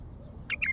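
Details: A wild Baghdadi bulbul sings three quick, bright, fluty notes in the last half-second, after a quiet stretch with a faint low rumble.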